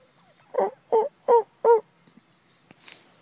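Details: Wild turkey responding to hen calls imitated by mouth near a house: four loud, hoarse yelps at steady intervals, then a few soft clicks and a faint rustle.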